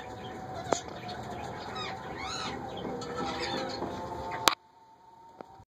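Young rose-ringed parakeet giving a quick run of raspy, arching chirps over a steady hiss of background noise, ending in a sharp click.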